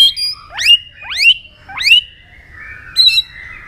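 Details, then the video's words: White-rumped shama singing to provoke a rival, with tail-snapping: three loud rising whistled sweeps about half a second apart, each ending in a short level tone, then a brief higher phrase. "chòe lửa tạch đuôi âm kép kích lửa hiệu quả.dìu lửa chuyền mùa 2 hót đấu lên lửa cực nhanh"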